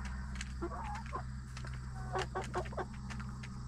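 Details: Backyard chickens relax in the coop at night before going to roost. Low, murmured clucks and short warbling notes come in loose clusters over a steady low electrical hum, with faint cricket noise above.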